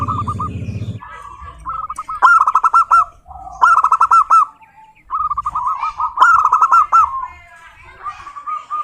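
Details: Local zebra dove singing, used to draw other zebra doves into song. Quick runs of short curled coos form long phrases broken by louder, harsher bursts and short gaps. A low hum is heard at the start.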